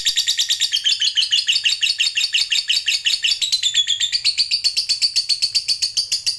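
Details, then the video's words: Lovebird, fighter type, in a long unbroken ngekek: fast, high, rattling chatter of steady chirps, roughly two per second in pulses, pitch dipping then climbing steadily in the second half. "Suara Burung Lovebird Ngekek Panjang"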